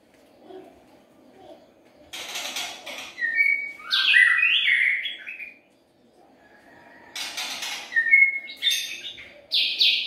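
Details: White-rumped shama lure song in two bursts: each begins with a scratchy, noisy note and breaks into quick bright whistles and sliding notes. Near-silence separates the bursts.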